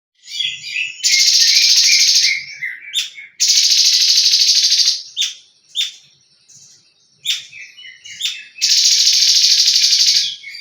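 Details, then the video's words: Leafbird singing in the tembakan (rapid-fire) style: three long, loud, harsh buzzy bursts of about two seconds each, broken by short sharp chips and twittering whistled notes, with faint low thumps underneath. "TEMBAKAN CUNGKO"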